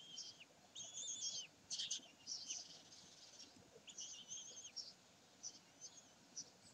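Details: Common kestrels at Sägeweg on 27 May 2020 giving high, drawn-out wheezy notes with overtones, clustered at first and then sparser and fainter toward the end.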